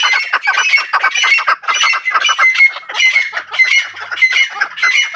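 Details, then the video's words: Loud, continuous scratchy squawks from farm-kept chukar, several birds overlapping in ragged bursts roughly twice per second with a faint steady whistle beneath. "Farmi chakor francolin voice |chakor ki awaaz | chakor farmi"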